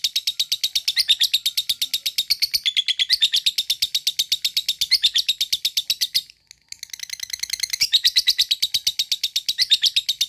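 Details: Excitement-raising lovebird ngekek: a continuous machine-gun string of shrill, scratchy notes that pauses briefly past the midpoint, then picks up again just as fast.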